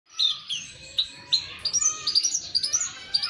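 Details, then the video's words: Javan bush lark, locally branjangan, learning the ngeper singing style: a quick run of high, thin chirps and short sweeping notes, bursts coming about every half second and growing busier toward the end. "Branjangan belajar ngeper"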